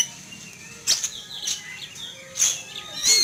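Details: Frightened Oriental magpie-robin, caged and set out in a yard one morning, reacting to a passing eagle with sharp, high whistled notes and scratchy chirps in short bursts about every half second to a second.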